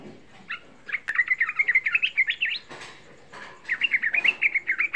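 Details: Young sooty-headed bulbul song used as a provoking lure for other bulbuls: two fast chattering bursts of bright, warbling notes, each packed with rapid rising and falling chirps, separated by a short pause with a soft rustle.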